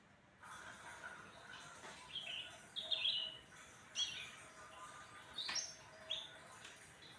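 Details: Cucak ranting, or black-headed bulbul, in lively song after crickets and sunbathing, giving a string of short, sharp whistled chirps spaced about a second apart over faint background noise.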